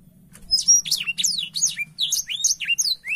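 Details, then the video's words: A blackthroat sings hard with wings opened, delivering a fast, continuous chain of high, slurred whistles, each note sliding steeply downward, packed several to the second. "Burung blackshot gacor sampai buka sayap"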